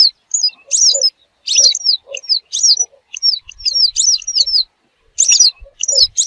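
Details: Western yellow wagtail, a lure for hunting: dense run of high, slurred chirps, several overlapping, mixed with soft lower piping notes, with brief pauses between bursts.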